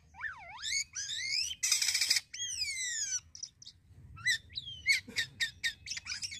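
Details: Jalak kapas starling in full isian song: deep swooping whistles, a loud harsh rasp, a long falling whistle, then quiet clicks followed by rapid sharp chips and ticks.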